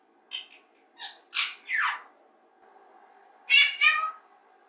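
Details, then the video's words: Indoor pet rose-ringed parakeet chattering to itself while practising human speech: a run of short scratchy syllables, a pause, then two louder hoarse speech-like notes, with a constant faint background hum. "사람말 연습하는 목도리 앵무새"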